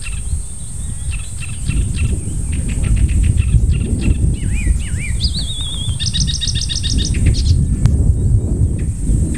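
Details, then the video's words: Icterine warbler, a migrant present in early July, singing a varied medley: dry rapid chatter, then looping whistled phrases and a run of repeated sharp high notes, imitating other birds; steady low rumble of wind or traffic underneath. "Song of the Icterine Warbler"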